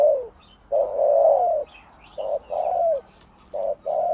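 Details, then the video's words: Deep-voiced decoy spotted dove singing the 'khu-ang' pattern; a long rolling coo that drops at the end, then shorter hollow coos at uneven spacing, with faint chirps above. "นกต่อVIP 1กุกเสียงใหญ่คูอ่างเกือบตลอด ต่อดิน ต่อกิ่ง ต่อเพนียด"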